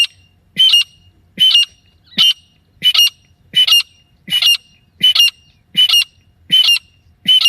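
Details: Grey francolin hen, a call hunters use to lure birds: harsh, squawking double notes repeated steadily about every three-quarters of a second, with a faint low thump before each.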